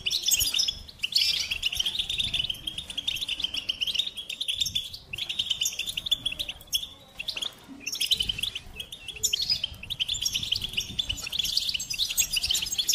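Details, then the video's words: Long goldfinch singing bout: dense bursts of liquid twittering and buzzy trills, with brief gaps near five and eight seconds, steady faint background hiss. "Experience the Goldfinch Singing"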